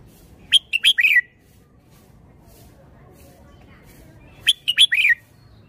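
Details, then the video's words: Red-whiskered bulbul, its song noted for fine phrasing, giving two matching phrases about four seconds apart. Each is a rapid string of bright chirps finishing in a liquid, falling warble, with a soft murmur of low background noise. "นกกรงหัวจุก 547 จ้าวคำหมาน สำนวนดี ลีลาเด็ด"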